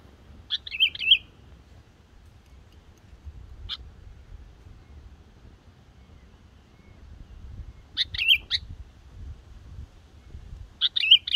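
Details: Young yellow-vented bulbul (black-headed form) practicing song, used as a lure for trapping: short bursts of bubbly chirps separated by long pauses, over a low background rumble.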